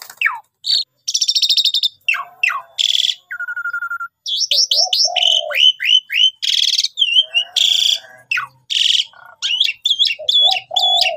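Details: Lure recording of a Javan pied starling in full lively song, a long varied medley of harsh rasps, sharp descending whistles, low steady tones and wavering upslurred notes, with hardly a pause.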